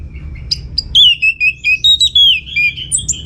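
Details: Lively orange-headed thrush song used to get other birds to answer: a rambling stream of clear whistles, some sliding down, some wavering, strung together in short bursts with brief gaps, ending on higher thin notes.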